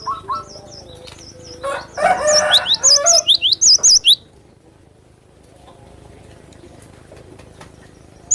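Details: Cinereous tit singing a run of high, wavering two-note whistles repeated quickly for about four seconds, with a brief noisy burst in the middle, then near silence.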